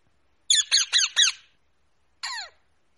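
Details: Pet rose-ringed parakeet giving four harsh, grating screeches in quick succession, then a pause of nearly a second and one more drawn-out screech; quiet background otherwise.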